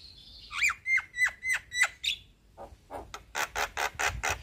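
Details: Male black-winged starling singing: a series of five evenly spaced, sharp descending whistled notes, followed by a run of harsh, raspy, noisy bursts.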